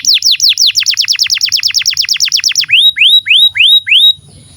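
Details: Canary singing as a master recording for young and non-singing canaries: a fast run of identical falling whistles for over two seconds, then five slower rising, curling notes, ending quietly.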